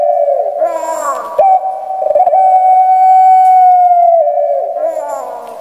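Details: Puter pelung, a large-postured Barbary dove kept in Indonesia and known for its thin, shrill coo. A rasping, stuttering start runs into a sustained pure tone held nearly two seconds, then eases down at the close.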